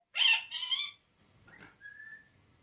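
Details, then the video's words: Pet parrot that has recently started talking, mimicking speech: two loud, harsh, harmonic syllables in quick succession, then a softer raspy note and a short, level, clear whistle fading out. "My beloved parrot 🦜🦜Has Started Talking ][ Mera Tota Bolne Laga"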